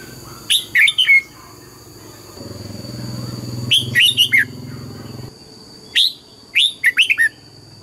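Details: Morning song of a red-whiskered bulbul trained in the double-note wild style: three bursts of rapid chirpy, whistled notes, each three to five notes long, with a low rumble in the background between them.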